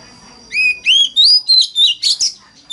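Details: Oriental magpie-robin singing a 'forest voice' lure song to prompt other magpie-robins into song: a series of seven or eight clear whistles climbing in pitch, ending in buzzier, rougher notes, over a constant faint high tone.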